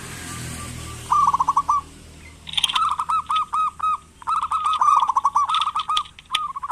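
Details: Zebra dove, a local bird in full voice, whose calls serve as a lure to make reluctant doves call: bursts of rapid trilled notes, several phrases overlapping near the end, with a faint hiss and clatter behind.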